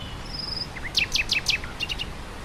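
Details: Nightingale song carried on grassland wind: a thin whistle, soft rising notes, then four loud descending rasping strokes and a quieter trailing series of short repeated notes, over constant wind.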